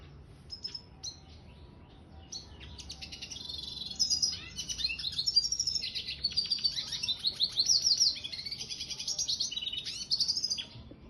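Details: Red siskin mule finch in song: a few scattered high chirps at first, then from the midpoint a dense run of fast trills, buzzes and twittered phrases climbing in loudness, over a low steady hum.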